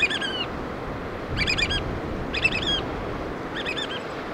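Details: Adult black oystercatchers feeding young utter shrill, ringing whistles, an opening stretched note followed by three quick stuttering bursts, against continuous surf noise.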